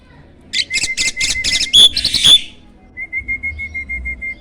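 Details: Master-song starling, a contest winner with a strong voice: a series of rhythmic buzzy pulses over a steady whistle, two sharp high squeals, then a quieter, evenly repeated whistled note.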